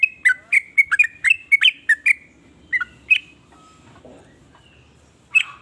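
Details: Sooty-headed bulbul (trucukan) song said to provoke other bulbuls into singing: quick burst of bubbly whistled notes for two seconds, then scattered single notes with quiet gaps and one final phrase.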